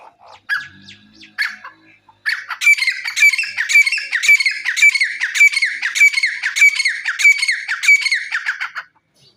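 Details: Grey francolin (jungle teetar) in a fast, loud, shrill run of rasping phrases, repeated about twice a second for some six seconds after a few scattered opening notes, then ending abruptly.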